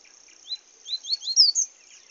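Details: Seedeater song from the bush, a short burst of upward-sweeping whistles, each note sliding up and later notes pitched higher and louder, roughly one second in all, with a constant shrill insect drone behind.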